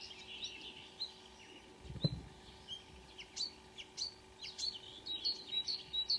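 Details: Marsh warbler song at dawn, 5 a.m., 2 June 2009, Kråkstad near Ski, Norway, a couple of birds singing; a rapid, varied chatter of high chirps and sharp whistled notes, with one dull thump near the middle.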